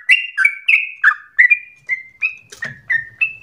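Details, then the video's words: Sooty-headed bulbul singing keenly, for prompting and tutoring other birds. Short ringing whistles, some slurring downward, follow at a quick pace, with a faint low rumble late on. "Trucukan gacor ropel ngotot narung emosi"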